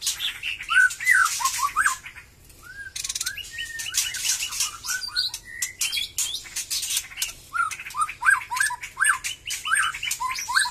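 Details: Freshly moulted white-rumped shama, Batu Kurau strain, starting to sing vigorously. Clear looping whistles alternate with short rising notes and scratchy clicks, with a brief quiet gap near the start.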